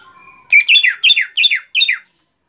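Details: Cucak ijo, the greater green leafbird, opens with a faint, thin steady whistle, then delivers five sharp, chattering note clusters evenly spaced about every quarter second, ending abruptly; no other animals or voices audible.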